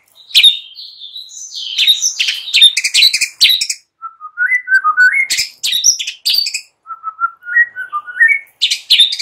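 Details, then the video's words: Morning lure song of a white-rumped shama: a clear sustained whistle opens, then dense high chattering bursts, followed by two series of soft low whistled notes climbing stepwise, with sharp clicks between. "Hitungan DETIK SAJA Jadikan murai PAGI HARI Terpikat NGEPLONG dan GACOR"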